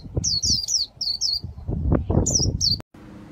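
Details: Caged Japanese white-eye from Vietnam singing líu style: short groups of high falling slurred notes over louder low thumps and handling noise, ending with an abrupt cut.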